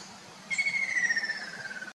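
A Ruddy kingfisher gives one long, slightly trilled whistle that slides steadily downward over about a second and a half, against a quiet background hum.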